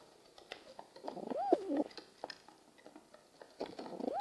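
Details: Pigeons cooing in the morning: soft, low, wavering coos rising and falling, repeated in short bursts among scattered clicks, taps and shuffling noises.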